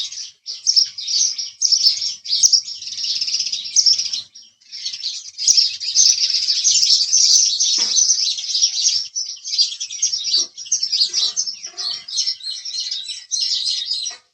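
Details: A sustained chorus of high, scratchy house sparrow chirping runs almost without pause. A short lull comes near four seconds, and a few faint clicks and knocks sound in the background.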